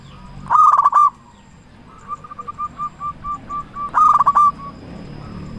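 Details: Loud local zebra dove used as lure to get other doves cooing: two rough, rapid cooing phrases about three seconds apart, linked by a quieter run of evenly spaced short notes.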